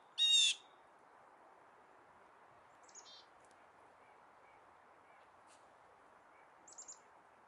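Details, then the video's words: Bird in a snow-covered Canadian forest in winter, falling snow: one loud, harsh, buzzy call with rich overtones at the start, then a few faint, short, high chirps spaced seconds apart over a steady soft hiss. "Birds Singing in the Falling Snow"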